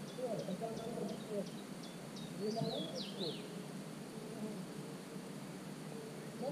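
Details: Young common cuckoo in a marsh warbler nest, 27 June, GoPro 5: quick high ticking cheeps speed up, then turn into two louder sweeping, wavering squeals, with low murmuring sounds underneath.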